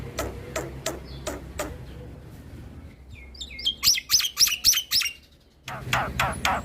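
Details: Black-winged starling (jalak putih) in full 'ngeroll' song, nodding, said to agitate other starlings: sharp dry clicks, a quiet pause, then a burst of high rattling notes repeated about three times a second.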